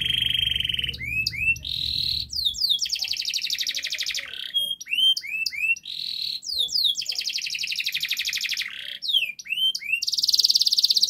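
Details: Master song of a canary used to coax a non-singing canary: varied phrases of upswept whistles, long rapid trills and buzzy sustained rolls, repeated in loud cycles.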